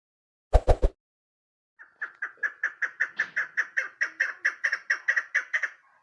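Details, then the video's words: A female chukar partridge gives a steady series of about eighteen clucking notes, roughly four per second, with three sharp knocks just before it. "keklik sesi"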